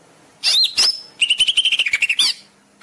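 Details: Greater green leafbird singing a training song for caged birds: two upslurred whistles, then about ten quick, clipped notes in a steady rhythm, closing on a rising whistle.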